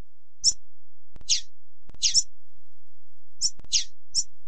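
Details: High-pitched female double-collared seedeater calls meant to fire up males, short sharp chirps and downward-sliding squeaks in loose clusters of one to three, separated by pauses of about half a second to a second, with faint low hum.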